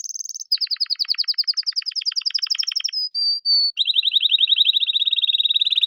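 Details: A male canary sings a quick run of high, rapid trills, slides through a few pure whistled notes, then rolls into a steady lower trill, with no other sounds.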